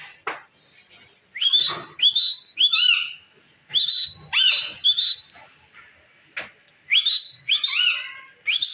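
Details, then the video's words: Indian green ring-necked parakeet kept as a talking pet, mimicking words: a string of clipped, harmonic, speech-like phrases and rising whistles in quick bursts, with short pauses, and a sharp click near the middle. "amazing Indian Green ring neck talking parrot speakin"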